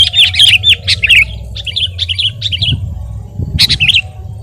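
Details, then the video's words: Sooty-headed bulbul singing for tutoring and luring birds: a cluster of loud warbled notes, then a softer run of similar phrases, a pause, and a final short burst, over low rumble. "masteran dan pancingan suara burung KUTILANG GACOR💯bikin burung anda KONSLET⁉️"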